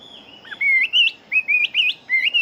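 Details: Fighting-type Chinese hwamei in quick song: a long whistled note, then bright, wavering, looping whistles repeated in short bursts with brief pauses between.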